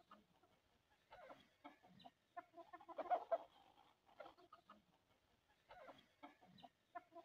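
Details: Hens eating sesame food, uttering quiet, low clucks and soft chattering notes in short groups spaced roughly every second or two.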